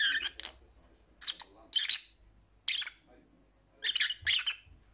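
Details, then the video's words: Harsh, raspy lovebird squawks delivered in pairs and single bursts, about a second apart, strident and high. "Lovebird Sounds for Lonely Parrots"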